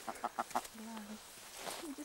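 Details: A red grouse in the Cheviots, apparently defending a nest nearby, gives four quick, gruff clucks in a row, then a lower drawn-out croak, with a person speaking quietly nearby.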